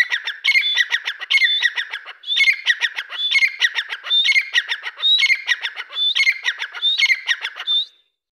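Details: Grey francolin calling loudly in a steady run of harsh, rattling, squawky phrases, each about a second long and repeated back to back nine times, with short high whistled notes within each phrase.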